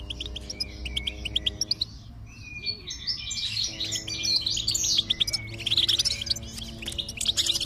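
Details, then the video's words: Bright twittering goldfinch song with fast chirps and short trilled runs, meant to get a silent goldfinch singing, accompanied by a steady low droning tone. "is Your Goldfinch Silent? Give it this stimulation and see the difference"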